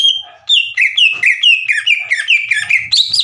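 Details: Green leafbird in full song, played to provoke young birds into singing back: a fast series of clear whistled notes stepping down and back up, roughly two per second, dense and energetic throughout.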